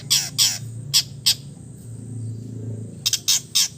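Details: Relaxed, imitation-filled singing by an East Javan long-tailed shrike: harsh, broad squawking notes in pairs and short bursts, separated by a quiet pause, over low background hum.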